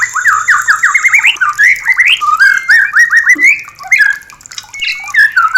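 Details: Loud, energetic white-rumped shama song to bring birds into mating condition: rapid runs of rising slurred whistles strung together, a short drop to quieter notes, then more bright whistled phrases.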